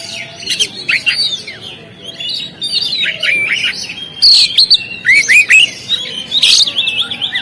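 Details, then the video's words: On the contest stand, an Oriental magpie-robin delivers a varied song of rising and falling whistles, rapid chirps and scratchy notes, louder toward the end. "SUARA BURUNG KACER, Langsung on di gantangan"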